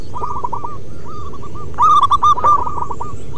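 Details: Perkutut, a local wild zebra dove, in manggung song meant to lure and stimulate other doves: rapid rolling coos of pulsed low notes repeated in several phrases, with a louder burst near the end.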